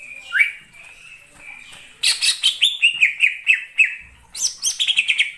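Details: Greater green leafbird lure song used for trapping birds; a soft, quiet opening gives way after two seconds to a rapid run of loud, sharp whistled notes that slide downward, repeated in bursts.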